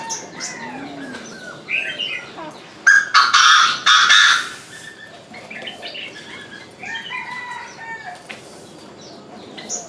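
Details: Lovebirds, three perched on a crape myrtle treetop, burst into harsh, loud screeching for about two seconds mid-way, surrounded by scattered high chirps and varied twittering from other birds.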